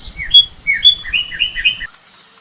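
A cardinal sings a quick run of about eight clear, down-slurred whistles in under two seconds, loud and bright, with faint low rumble beneath.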